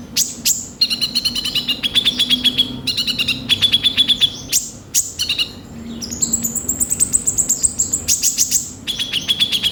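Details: Sunbird (kolibri ninja) in energetic, chatty song with rough filler phrases: rapid clipped chirps and rattling trills, brief high thin whistles, delivered in quick bursts with short pauses between.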